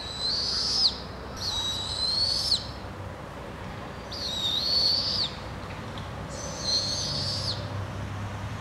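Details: Four harsh, sustained high screeches from a Barred Owl family in British Columbia, Canada, each near a second long and slightly wavering, spaced two to three seconds apart over quiet background.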